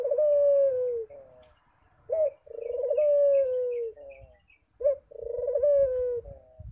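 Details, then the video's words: Frequent cooing from a Barbary dove, long steady purring coos that fall away at their close, each one introduced by a brief sharp rising note, three phrases in under seven seconds. "Suara Burung Puter Rajin Berbunyi"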